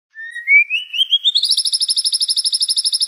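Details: White-rumped shama singing competition-style song used as a clear model for other birds to copy: a whistled note sliding steadily upward into a fast, even trill of sharp repeated notes, about seven per second.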